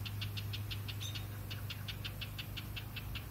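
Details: A house wren parent scolds, warning an intruder away from its nest of hatched babies about 2 days old, with a fast, harsh, rattling chatter of dry buzzy notes, several each second, over a steady low engine hum.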